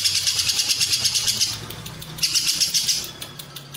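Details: Lovebird ngekek with long cililin filling, meant to train competition birds: two bursts of high, rattling, pulsed chatter separated by a quieter gap.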